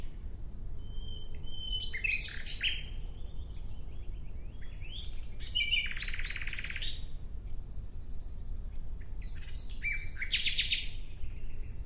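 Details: Nightingale singing outdoors in natural surroundings: three rich, varied phrases mixing sharp clicks, bright whistles and rattling notes, separated by short pauses, over a steady low background rumble.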